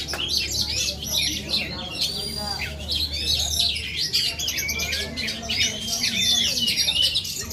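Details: Oriental magpie-robin from Aceh in Indonesia singing energetically: rapid sweet whistles, trills and buzzy notes in close succession, over a steady low hum and faint talking.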